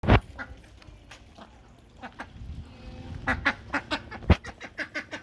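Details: A duck playing with water on a farm gives loud, short, rough quacks in quick bursts, about three to five a second, with splashing and dabbling water throughout.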